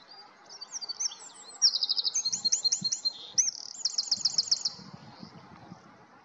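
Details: Eurasian wren song bursting out in high, hurried phrases: brisk metallic trills, a run of bright upslurred notes and a final rattling trill, with a faint background hiss.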